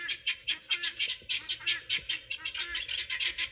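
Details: Pearl guineafowl in a garden, loud when excited: harsh, rasping squawks repeated about four times a second in a steady chant, with faint low thumps beneath.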